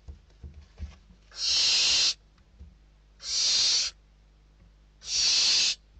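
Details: Inside the nest, barn owl chicks in Spain battle over food brought in, December 2023. Faint taps lead into three strong rasping hisses, evenly spaced roughly every two seconds.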